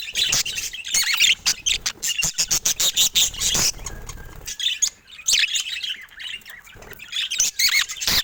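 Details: Cuddling budgies showing love chatter steadily with squeaky, twittering chirps, mixed with sharp clicks and brief wing flutters.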